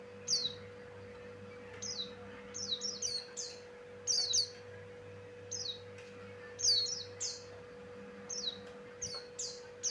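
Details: Javan grey-throated white-eye male singing with rich, varied phrases, kept as a lure for catching birds: bright, high descending slurred chirps in quick clusters of two or three, spaced by short pauses, with a constant low mechanical hum behind.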